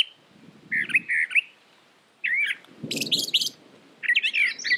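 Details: Brown thrasher phrases of slurred, chirping notes alternate with pauses; a low rumbling noise sounds under some of the phrases.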